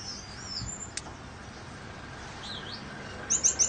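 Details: Captive dilute back and blue Gouldian finches in hot weather with a fan running. A faint high whistle early on, then three rapid, piercing chirps at the end over broadband fan noise.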